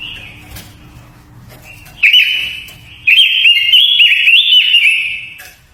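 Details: Japanese white-eye delivering a lure song used to provoke and train birds: faint opening notes with a low background rumble, then bursts of loud, high, fast twittering warble with rapid trills.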